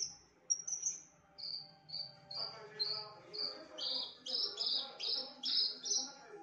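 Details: Loud, varied imitative singing from a Javan bush lark: thin high whistles, then a steady series of short clear notes, about two per second, growing louder and buzzier toward the end.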